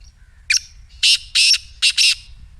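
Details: Black francolin call used to set a silent partridge calling: a short sharp opening note followed by four loud, rasping, buzzy notes in two quick pairs, harsh and broad-toned, against a quiet background.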